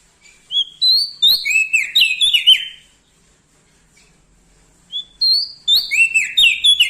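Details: Loud-voiced Bar-winged prinia from Lombok in full song near larger birds. Two phrases, each opening with a thin rising whistle that breaks into a quick cascade of bright, slurred, downward chirps, with a silent gap between them.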